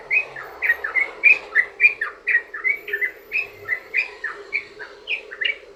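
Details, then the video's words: Long 'ropel' song of a trucukan, the sooty-headed bulbul, aimed at luring other bulbuls to sing: lively run of liquid, slurred chirps, three to four per second, strong and steady throughout, over faint low noise. "trucukan ROPEL PANJANG buat pancingan burung trucukan agar bunyi"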